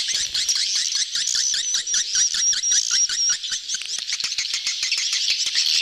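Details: Swiftlets massing to mate ("betompok"): a string of evenly spaced short chirps rides over dense high chatter, with a thin whistled tone repeating briefly in the middle.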